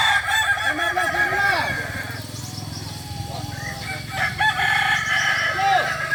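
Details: Several Kokok Balenggek cocks practise crowing together at Ampang Kualo, Solok City, West Sumatra. Their long, stepped, tremulous crows overlap densely over a steady low hum.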